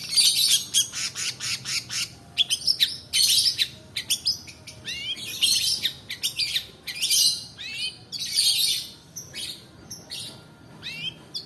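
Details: Long-tailed shrike in extended rolling song for training other birds and coaxing quiet ones to sing: loud, continuous runs of harsh chattering and upswept whistles packed into quick bursts, barely pausing for nearly twelve seconds.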